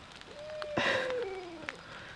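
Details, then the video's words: An owl heard from camp during a rain and snow storm gives one long, smooth hoot sagging slowly lower for over a second, broken briefly by a sharp clatter, over a steady hiss of rain. "you guys hear that owl"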